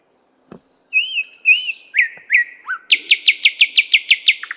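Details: Singing nightingale in Moscow's 50th Anniversary of October park, recorded with a RODE NTG-3 and ZOOM H6: looping whistled notes, slurred downward phrases, then about ten rapid repeated sharp notes, with a faint click early on.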